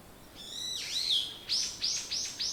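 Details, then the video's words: A morning bird gives a long, high whistled note that dips and rises, followed by four quick, sharp descending chirps; background quiet. "目覚めに最適 鳥のさえずり"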